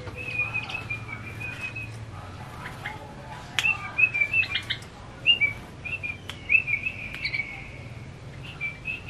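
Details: Tame male yellow-vented bulbul singing actively in a rapid, continuous style: bright, high whistled notes and quick chirps in irregular bursts, some phrases sliding slightly, over a faint low background hum.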